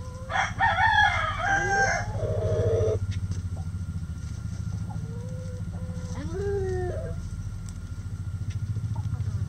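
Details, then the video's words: Chickens in a backyard flock: a harsh, strained crow of about three seconds, then after a pause a few rising and falling drawn-out hen calls, all above a persistent low rumbling hum. "Chicken Sounds Egg Song | Rooster Crowing"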